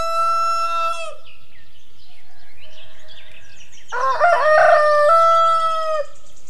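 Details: Rooster crowing: a loud, drawn-out, harmonic call held for about a second, a softer broken stretch, then a second strong crow rising into a raucous, wavering peak and holding steady before cutting off.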